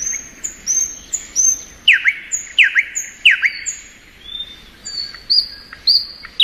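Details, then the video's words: Thrush nightingale singing in spring: high whistled notes sliding down, then loud sharp downward-swept notes in quick pairs, with rising whistles near the end. No other sounds intrude. "Nightingale Song.(Luscinia)."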